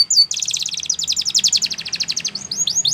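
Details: Spanish Timbrado canary song for training young canaries: a rapid metallic trill of evenly spaced high notes after a brief opening note, ending in sweeping slurred notes.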